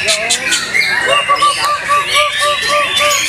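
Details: White-rumped shama singing in the Best in Show session of a bird song contest in Indonesia: a steady string of short, arched whistled notes, about four per second, over loud crowd chatter and voices.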